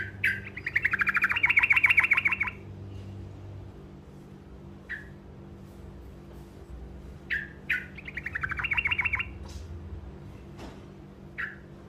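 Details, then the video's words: Olive-backed tailorbird (truco) giving a short roll meant to make other birds answer: rapid repeated bright chips about two and a half seconds long, then scattered single calls and a second shorter roll, over a low steady hum. "Suara Burung Truco Ngerol Pendek Dijamin Pasti Nyaut"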